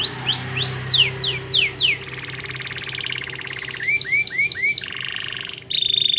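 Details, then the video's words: Canary song meant to spur less active canaries into singing: fast downward-sweeping whistles give way to a dry buzzing rattle, then short rising chirps and a held piercing whistle. "pancingan kenari gacor buat burung kenari yg kurang rajin gacor"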